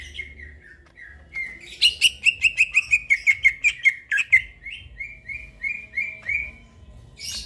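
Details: Greater green leafbird singing lively in the middle of the night, a master recording: a brief whistle, then a rapid, even string of about fifteen chipping notes that slow into softer slurred whistles.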